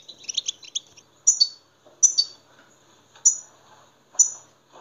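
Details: European goldfinch song played to stimulate captive goldfinches: a brief high liquid twittering burst, then four sharp, bright notes sliding downward, spaced roughly a second apart, over a quiet background.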